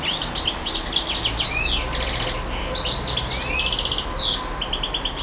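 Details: Nightingale singing: dense, fast varied phrases of high trills, rattling repeated notes and sweeping whistles, loud over steady background hiss.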